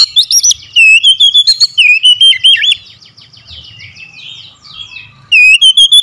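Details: Oriental magpie-robin lure song to rouse reluctant birds: a loud, lively run of looping whistles for almost three seconds, quieter scratchy chatter, then another loud whistled burst at the close.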